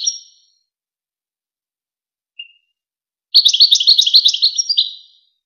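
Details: Goldfinch song used to tutor young goldfinches and hybrids: a brief twitter, a lone thin chip, then a loud rolling run of quick liquid trills and twitters. No other sounds.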